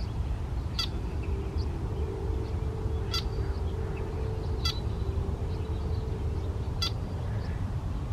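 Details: A red-winged blackbird gives four sharp, dry check calls spaced about two seconds apart over a steady low rumble and a faint hum.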